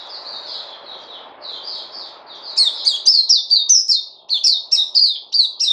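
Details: Softer, evenly spaced high chirps open the passage, then the bird switches to louder, sharper downslurred notes repeated roughly twice a second, with a low murmur underneath early on.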